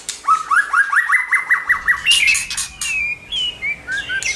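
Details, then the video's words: White-rumped shama singing to stimulate a bird to sing, a rapid series of short rising notes repeated several times a second, followed by higher whistled phrases over a low background rumble. "Kích Chòe lửa hót nhiều giọng, Hót Căng lửa,chòe lửa đánh đuôi kích cực nhạy.luyện chòe lửa hót"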